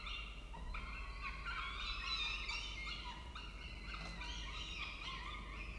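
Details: Peregrine falcon at its nest in Orange, Australia, with the male arriving with food; a run of harsh, harmonic wailing calls given in quick succession, some short and clipped, over a constant low hum.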